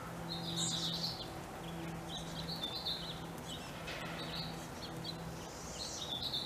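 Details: A baby chickadee fledgling in spring calls itself awake and calls to its mother with dee-dee calls: high, buzzy, twittering notes in short repeated bursts over a steady low mechanical hum.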